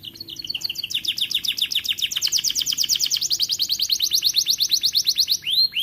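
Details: A young canary beginning to sing in an aviary delivers a long, steady series of rapid rising chirps, about eight per second, ending on a single downward-curving whistle.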